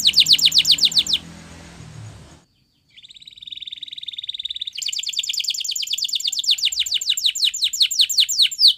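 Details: Spanish Timbrado canary training song: a fast falling-note trill, a short break of near silence, then a buzzy tone leading into a long, even, rapid trill of descending notes.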